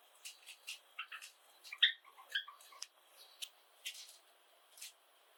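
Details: Java sparrows in a household flock of seven give soft clicking chips and a brief run of bell-like, tinkling notes, with scattered clicks and ticks throughout in a quiet room.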